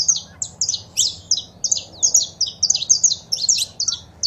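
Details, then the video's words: Saffron finch male singing with female calls, played to a pet bird to urge it to sing; an unbroken series of quick, high, slurred chirps. "Foguea seu Canário da Terra com Esse Piado de Fêmea e o Macho Cantando"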